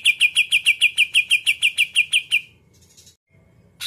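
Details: Greater green leafbird delivering muntah isian kapas tembak putar song meant to rile up rival birds: about fifteen loud, evenly spaced sharp chirps, three to four per second, then a short silence before another note begins.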